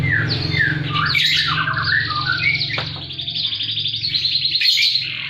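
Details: Canary in full, high-and-low song, used to tutor birds and to coax quiet canaries: short trilled bursts and chirps over a loud, steady low hum, with some squeaky notes mixed in.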